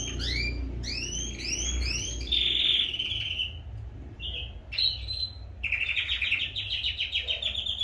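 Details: Captive canaries singing at full force before breeding pairs are separated; loud song of repeated upswept whistled notes, then sustained buzzy high trills and fast rattling phrases, with a low steady hum beneath.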